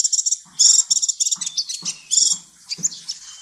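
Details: Sunbird (kolibri ninja) song for tutoring murai and kacer: rapid high chirps and buzzy trilled bursts in uneven clusters, with faint low knocks beneath.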